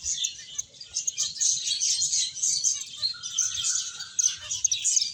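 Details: Crowded high chirping from finches at play and eating, bright tweets tumbling over one another, with a short level whistle partway through.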